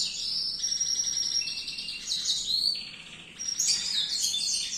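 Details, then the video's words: Canary in full song for tutoring young birds, pouring out a long sequence of fast high trills and chattering rolls, briefly softening before rising again into bright twittering phrases. "kicau gacor kenari, suara merdu buat masteran"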